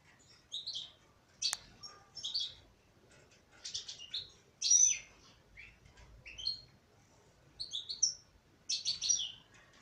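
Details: A female European goldfinch sings a string of separate high, sparkling chirps and short twittered phrases, about one every second, with a single sharp click early on.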